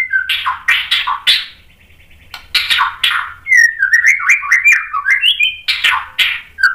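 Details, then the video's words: White-rumped shama song for provoking responses: harsh slurred notes, a pause, then a long rippling run of clear whistles stepping up and down, closing with rough downslurred calls. "MASTERAN MURAI BATU memancing EMOSI jadi NYAUT BUNYI BONGKAR MATERI ISIAN"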